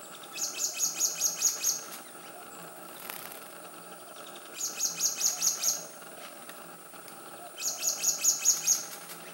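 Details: Black-naped monarch (Hypothymis azurea) calling in three bouts, each a quick run of about seven sharp, high, ringing notes, with roughly three seconds of quiet between bouts over faint background hiss.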